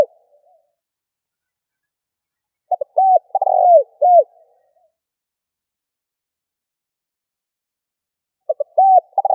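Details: Spotted dove call meant to rouse decoy birds, with low cooing phrases about six seconds apart. Each has quick clipped notes, a buzzy rolling trill falling away, then rounded coos. No other sounds.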